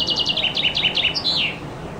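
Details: Common chaffinch singing loudly under a window in summer, recorded from a loggia with a compact camera: a quick descending series of bright chipping notes ending in a short flourish, about two seconds long.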